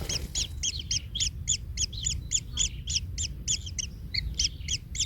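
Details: Nestling kingfisher, stepped on by its parent and hurting, repeats quick high arched chirps in a fast, slightly uneven series over a low background rumble.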